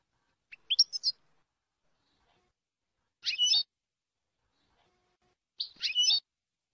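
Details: European goldfinch, a song-training recording in the Jordanian song style, described as free of errors. Three short, bright twittering phrases of high, quick notes are separated by about two seconds of silence. The background is clean.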